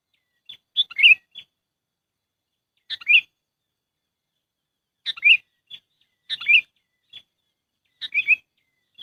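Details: Sooty-headed bulbul trapping lure call: five bubbly chirped phrases, each a sharp note and rolling warble, sometimes trailed by a thin whistle, spaced one to two seconds apart.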